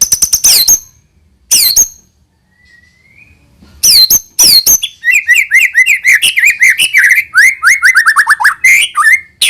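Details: White-rumped shama song played to encourage young birds to sing. High, sharp downslurred notes and a soft rising whistle give way to a long, rapid stream of chattering, varied notes, many sliding up and down.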